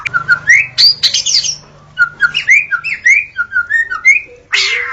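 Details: White-rumped shama dawn song used as a lure for shamas: a bright series of short rising whistles and loud upslurs repeated in quick succession, ending with a harsh noisy burst.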